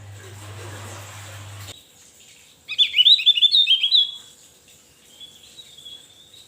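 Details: Javan white-eye singing vigorously, recorded as a tutor song for training other birds: after a low hum and a short pause, a quick burst of high, squeaky twittering notes runs for over a second, then a fainter thin whistled phrase.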